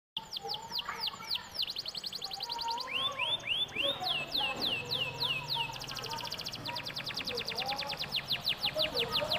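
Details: Domestic canary in full song, used as a lure to get other canaries singing: fast rolling trills of high repeated notes that switch between rapid buzzy rolls and slower sweeping slurred notes, over a low background hum.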